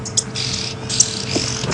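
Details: Oxpeckers give harsh, hissing buzzes in quick bursts as they take off together from a resting animal during an afternoon safari drive at a South African game reserve in late August, over the low, steady hum of an idling engine.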